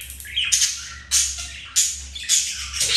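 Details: Pet budgies in the act of mating; loud, buzzy, high squawks in four or five bursts, roughly two per second, over a faint steady hum.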